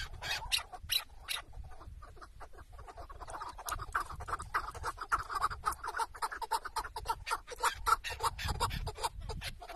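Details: Chukar partridge kept tethered as a decoy during a partridge hunt in Şırnak, Turkey: rough, clucking chuk notes repeated in a fast, uneven series near two per second, over scuffing and rustling noise outdoors.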